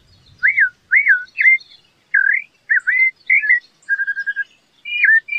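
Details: Singing Rufous-bellied thrush: varied fluty whistles, arched and rising phrases one after another, then a rapid stuttering trill and two more whistled notes.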